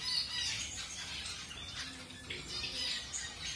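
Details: Colour-mutation zebra finches just introduced to a new mate for pairing give rapid, overlapping high nasal calls, several per second in quick bursts, with a steady background hiss.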